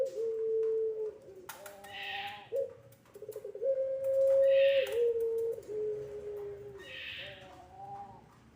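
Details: Puter pelung dove used as a lure recording to train young doves to sing: low, drawn-out tonal coos with level held notes and small pitch dips, broken by recurring breathy hissing bursts every few seconds.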